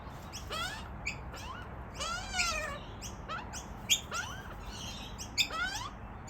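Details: Two young Australian magpies, brought over by their parents while searching for food, beg with harsh, rasping, wavering squawks in uneven bursts over a low hum; the siblings compete for feeding as it starts to rain.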